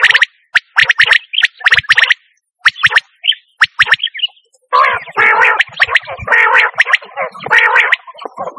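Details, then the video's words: A quail gives sharp, rapid chirps in quick bursts, then switches to a run of harsher, raspy churring notes over the last few seconds. "Quail sound //Batair ki awaz"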